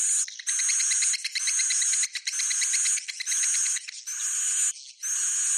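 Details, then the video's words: Bhayangkari-style swiftlet roosting call: steady grating, rattling buzzes in bursts near one second long, each made of fast ticking notes topped by a bright high whine, with short breaks between. "Suara Inap Walet Bhayangkari"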